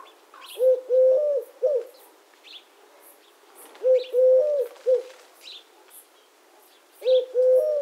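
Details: Eurasian collared dove giving its three-note coo, a short note, a longer held note and a clipped final note, low and mellow, repeated about every three seconds, with faint high chirps from other birds in the background.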